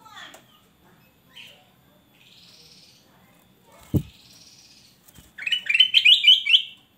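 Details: Loud singing male black-crested bulbul: scattered soft whistles and a sharp knock come first, then a rapid burst of five or six ringing, warbled notes near the end.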